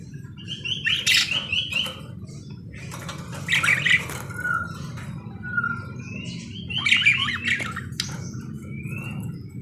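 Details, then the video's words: Parakeet warbling in loud grating bursts mixed with brief clear whistles, three main clusters a few seconds apart, over a steady low rumble. "BURUNG PARKIT GACOR CANTIK"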